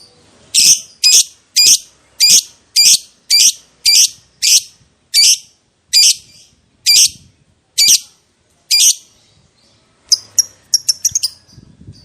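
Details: Lovebird lure recording: loud, harsh, rasping calls repeated about twice a second, spacing slowly widening, then a quick burst of short high chirps near the end.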